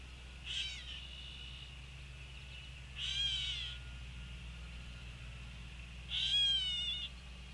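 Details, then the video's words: Gray Catbird at feeders of the Cornell Lab of Ornithology, Ithaca, New York, edge of woods and pond, May 27, 2020, gives three nasal, cat-like raspy mews, its most common call, each slurred and under a second, about three seconds apart, over a low steady hum. "Gray Catbird Mews"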